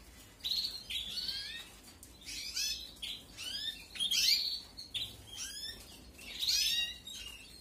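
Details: Canary nestlings begging while fed in a 2021 aviary breeding: repeated high, harsh, descending chirp bursts roughly every second, growing busier toward the end.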